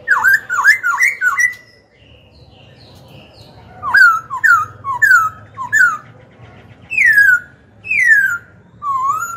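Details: Black-throated laughingthrush, a kept songbird singing to provoke rival birds and train young birds: loud clear whistled phrases, quick chains of rising-and-falling notes, a short pause, then slurred downward whistles repeated about once a second.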